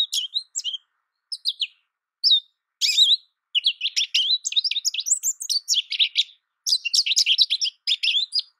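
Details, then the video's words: American goldfinch singing: a few short, separated twittering phrases at first, then from about three and a half seconds a continuous run of rapid, high, warbled chirps and slurred notes; no other sounds. "American goldfinch Bird Sound, Bird Song, Bird Call Bird Calling Chirps"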